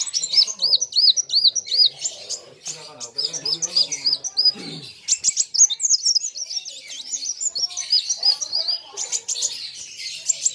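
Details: Sunbird known locally as kolibri wulung sings vigorously against a competing bird. High looping whistles and quick sharp chirps run on almost without pause. Low human voices murmur faintly underneath.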